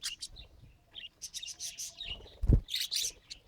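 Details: Pet budgerigar attempting speech: quick high warbles and squeaky chirps, interrupted midway by a loud low thud, then a final burst of harsh chatter.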